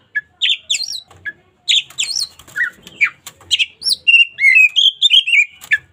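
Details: Local magpie-robin singing energetically: scratchy chips and fast varied whistles at first, building into a flowing run of clear, wavering whistled notes toward the end, in a quiet setting.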